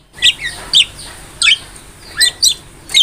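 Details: Javan myna master recording for songbird training: scattered high squeaky chirps and short whistled notes over a faint background hiss.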